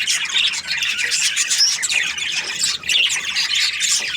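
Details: Crowded chatter of budgerigar breeding pairs: piercing squawks and rapid twittering notes overlap thickly, with short thin whistles standing out now and then.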